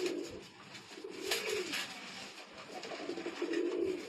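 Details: A Pakistani Sialkoti pigeon pair, one giving soft, low, throaty coos in three short bursts a second or two apart, over faint indoor background noise.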